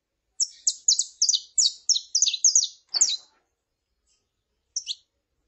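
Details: Saffron finch, a female calling and a male singing: a rapid series of about ten loud, high chirps, each sliding downward, strung together for three seconds, then silence and a final double note.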